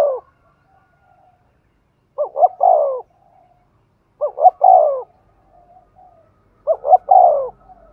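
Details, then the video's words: Spotted dove cooing in the Thúc Gù style, a deep husky phrase of two clipped notes and one longer falling coo repeated roughly every two and a half seconds, otherwise quiet. "Tiếng chim cu gáy Thúc Gù bài bản rất sung và hay"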